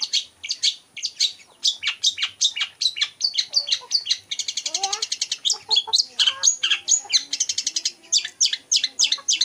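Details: Long-tailed shrike imitating the voices of other birds: continuous fast medley of high chirps, trills and scratchy notes, with a brief rapid stutter of repeated notes in the middle and some lower warbled phrases.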